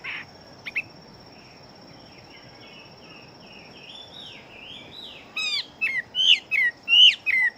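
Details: Chinese hwamei of fighting type, described as a very fast, full-bodied singer. Soft warbled phrases run for several seconds, then the song bursts into loud, sharp, rising and falling whistles about twice a second. A steady high electronic tone runs throughout.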